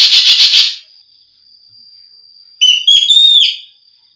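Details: Common green magpie (Cissa chinensis) giving a quick burst of four harsh, rasping notes, a thin steady high whistle, then a loud ringing whistled phrase with a harsh edge.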